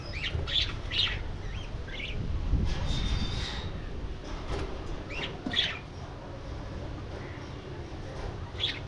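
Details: Budgerigars kept in an aviary: scattered short, high chirps and squeaks in small bursts, with gaps of quieter low rumbling between them and a brief thin whistle partway through.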